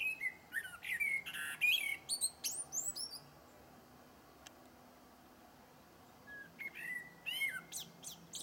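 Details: Two separate blackbird song phrases, each a mellow warbled whistle sliding up and down, then a scratchy high-pitched flourish, with several quiet seconds between them.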